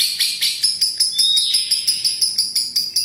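A lovebird's shrill, high chatter: a steady run of sharp, buzzy pulses, about five a second, sustained without a break.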